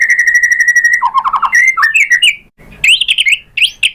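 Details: White-rumped shama song used as a lure to provoke other shamas into singing: a long steady whistled note, then rapid lower warbled notes and varied rising and falling whistled phrases with brief pauses.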